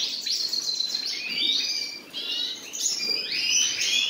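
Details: A pair of common nightingales singing: a run of clear whistled notes sliding down in pitch, repeated several times and overlapping, with brief chirps between them and a short lull near the middle.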